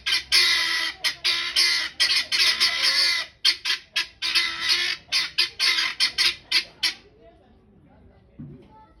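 Guinea fowl cackling: harsh, rasping notes repeated about four a second for roughly seven seconds, then breaking off into near silence.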